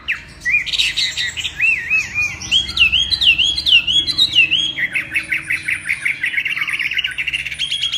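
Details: Loud, rich song from a Chinese hwamei: looping whistled notes swinging up and down, followed by a long fast series of sharp repeated chips, with faint room background.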